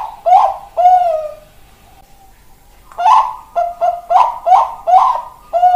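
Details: Zebra dove of the Bangkok perkutut type: a few slurred coos, a brief pause with a faint held tone, then a fast run of stuttering coos.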